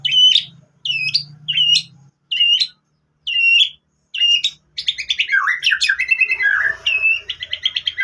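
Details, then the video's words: Lure recording of a white-rumped shama singing with canary phrases: clear whistled notes repeated about once a second with pauses, then a fast tumbling run of chirps, trills and downslurred twitters over a faint low hum. "MURAI BATU ISIAN KENARI ¦ PANCINGAN MURAI ¦ SHAMA BIRD"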